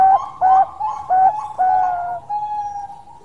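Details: Zebra dove of the Bangkok type in full long song: four loud clipped cooing notes with short gaps, then a drawn-out steady tone that fades away.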